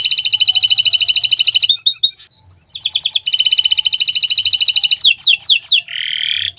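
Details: A canary sings on Friday morning, alternating long fast buzzy trills with short bursts of chips and swooping whistles, with only a brief gap midway.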